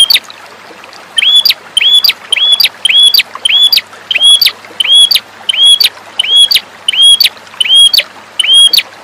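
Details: A red-headed prinia, used as a master song to train birds, sings a steady run of sharp, high, hooked chirps with a clicking edge, about twice a second without pause.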